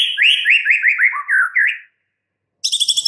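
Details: White-rumped shama, a kept songbird, delivering a fast run of repeated rising whistled notes, then a brief silence and a sharp high rattling burst.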